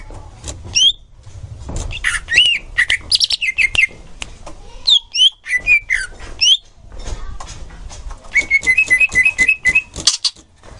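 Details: Song recording of a green leafbird used to train young birds. It is a lively run of varied whistles, slurred chirps and quick trills, ending in a fast rising-and-falling repeated phrase, over low background rumble.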